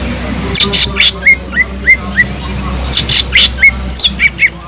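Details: Leafbird (cucak ijo) singing kingfisher (tengkek udang) fill: evenly spaced, bright upslurred whistles interleaved with shrill, high chattering notes, arriving in two busy stretches over a low steady hum.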